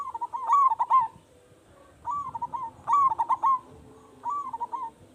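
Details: Local zebra dove, a loud-voiced bird in active calling form, used as a lure to make other doves answer. Four stuttering, rolling coo phrases of mid pitch in five seconds, each a quick burst of clipped notes, with a quiet background.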